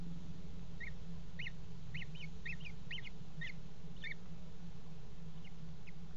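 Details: Common kestrel mating on a nest box edge at a water tower, 5 February 2018: paired, chattering high notes in quick bursts, thinning out to a couple of soft calls near the end, with steady hum beneath.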